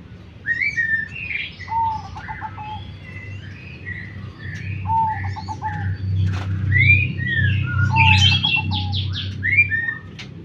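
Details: Zebra dove gives short stuttering coos, a quick run of clipped pulses ending in a held note, repeated about every three seconds, over busy higher chirps and whistles from other birds and a steady low rumble.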